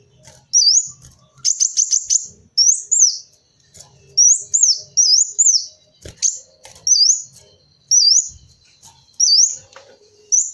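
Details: Sunbird known locally as kolibri wulung, offered as a lure sound: short, very high twisting whistles in bursts of two or three, repeated about every second with brief pauses, faint low rumble beneath.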